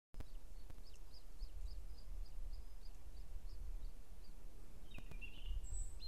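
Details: Booted eagle chicks at their nest in the Ports Natural Park, Catalonia, on the evening of 12 June 2022, squabbling as the mother brings food, give thin, high peeps about four a second, then louder, harsher chirps, over low wind.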